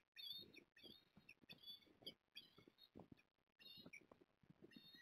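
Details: Osprey at Port Lincoln, 14 September 2022, during a fish delivery from male to female: softer, quicker chirping whistles in uneven bursts, mixed with low rustling and bumping noises.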